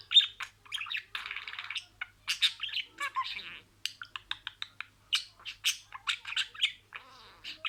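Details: Pet budgerigar mimicking words. It gives clipped, raspy syllables and buzzy notes in quick succession, with a harsh grating stretch early on and near silence behind.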